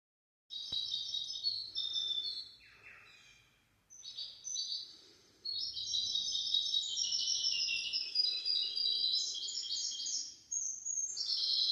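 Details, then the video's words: Goldfinch-canary hybrid singing a tutor song for teaching goldfinches and canaries: fast, high twittering and trilled phrases with a few downward-sweeping notes. There is a short pause around the fourth second, then a long unbroken run of bright warbling. "تغريد طائر الهجين الميسترو حفاضة ودانية لتعليم طيور الحسون والكناري بدون أخطاء"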